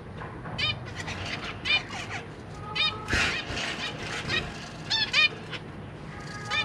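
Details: Zebra finches: two parents busy feeding three juvenile and three new babies. Many short, nasal, harmonic chirps overlap in a busy, continuous chatter, with one louder burst midway.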